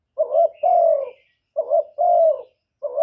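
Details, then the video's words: Cooing spotted dove calling to attract other doves. A short bubbling note leads into a longer smooth coo that droops at the end, repeated twice in quick succession over a quiet background. "CU ĐẤT GÁY GỌI CHIÊU GÙ"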